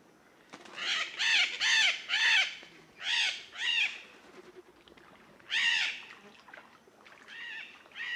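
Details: A yellow-collared macaw on the ground in the Brazilian Pantanal, where the birds are chewing grass and eating pollen, gives harsh, grating squawks in bursts of two to four, with a few quieter calls between.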